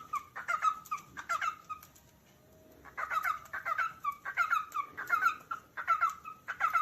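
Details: Calling cockatiel producing quick bursts of short, sharp chirps. A pause of about a second breaks the series midway, then the rapid chirping resumes more densely.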